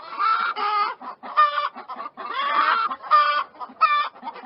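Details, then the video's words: Loud chicken clucking and squawking almost without pause, long harsh nasal calls alternating with short bright ones and quick soft clucks between. "chickens clucking sounds of chicken"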